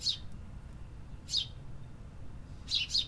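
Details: Urban birds singing: high, sharp chirps, with two single notes followed by a quick closing pair, over soft low-pitched hum.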